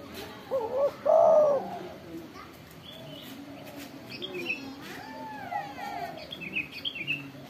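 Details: Spotted dove (tekukur) calling loudly: a pair of strong, low, mellow coos with a slight rise and fall, followed by fainter cooing and bright chirps from small birds in the background.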